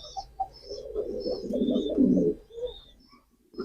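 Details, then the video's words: A single drawn-out, rumbling coo from a male pigeon swells and trails off, with soft high twitters of other birds faintly behind. "pigeon call and sound effect,কবুতরের ডাক।"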